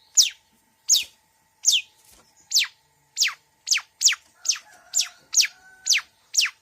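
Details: Long-tailed shrike (cendet) with mixed mimicry: a steady series of crisp, steeply downslurred whistles, spaced roughly half a second apart, becoming quicker toward the end.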